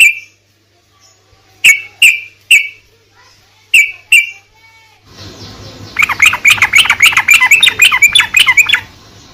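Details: Sooty-headed bulbul, a lure recording meant to make a silent bulbul answer: a few separate loud whistled notes spaced about a second apart, then a dense, rapid chattering run over light background hiss.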